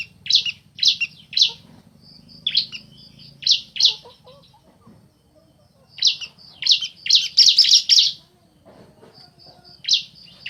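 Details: Bar-winged prinias, a male and a female answering one another: clusters of loud, crisp high chirps in twos and threes, then a dense fast burst, separated by quiet gaps with a faint high pulsing tone.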